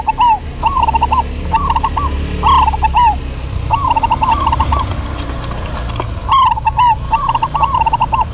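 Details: Two local zebra doves in an energetic duet, trading quick staccato cooing phrases almost continuously. Each phrase is a string of bouncy, arched notes, with brief overlaps and a constant low hum underneath.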